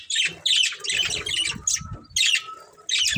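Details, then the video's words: A budgerigar from a breeding pair gives rough squawking chirps and chatter in uneven bursts, with low thumping noises underneath. "Beautiful Budgies Chirping Sounds"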